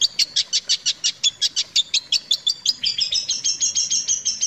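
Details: Long-tailed shrike song meant for tutoring other shrikes: evenly spaced bright chirps about four per second, shifting into a faster, buzzier two-tone series of high notes.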